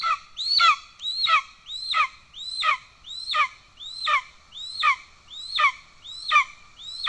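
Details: Nest of golden eagles in Estonia, 17 July 2024: the father delivers a pigeon while the chick is already fed. Ten piercing calls, each a rising hooked note falling into a harsh tail, repeat about every 0.7 seconds.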